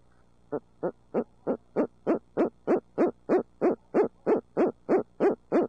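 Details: Barred owl from an urban pair in Midtown Tulsa giving a steady, even train of sixteen clipped hoots, roughly three each second, swelling in loudness after the first few notes.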